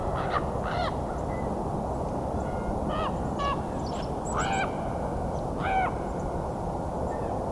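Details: Common raven approaching the recordist during a Christmas Bird Count on 30 December 2021 at Fletcher Creek Ecological Preserve, Puslinch, Ontario, giving about six harsh, hoarse, irregular calls over a low rumble of wind or traffic and a man's voice.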